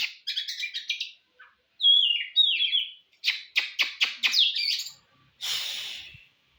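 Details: Oriental magpie-robin singing, used to rouse another magpie-robin for a contest. Quick runs of sharp chirps and slurred whistles are repeated in clusters. A steep descending whistle and a series of clipped staccato notes follow, ending in a hissy burst.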